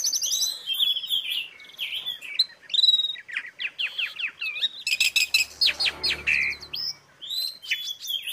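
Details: Asian pied starling training song: a continuous tumble of chattering whistles, downward sweeps and buzzy trills, with a low hum briefly underneath midway.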